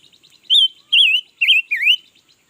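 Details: Newly acquired red-billed leiothrix singing all day, recorded in 2021: four loud, rich warbled phrases that rise and fall, each about a quarter second long and spaced roughly half a second apart, with soft twittering between them.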